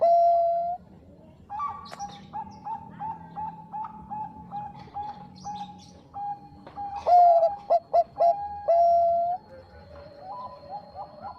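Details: Zebra dove of the Bangkok type singing a big, sweet master song used to stir up rivals; a long coo opens, then a steady train of soft, evenly spaced notes, followed by a louder burst of quick clipped coos and a final drawn-out note.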